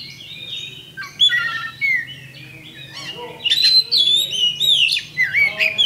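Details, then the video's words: A champion kacer, or Oriental magpie-robin, in provocative bait song meant to trigger fighting: a quiet start, then bursts of sweet slurred whistles, buzzy chatter and downward swoops, with a low steady hum behind. "LANSUNG TARUNG ! PANCINGAN KACER JUARA"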